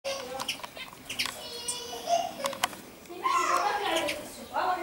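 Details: Common starlings chattering, from a collection of North African birds (Algeria and neighbouring countries), 26 May 2016: a busy jumble of clicks, squeaks and short whistles, then a harsher, grating run of notes.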